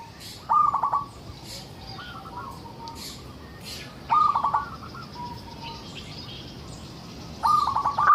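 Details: Zebra dove of a local type, singing to lure other zebra doves: three short, well-spaced bursts of rapid staccato coos, about one every three seconds, with faint softer coos and high chirps in between.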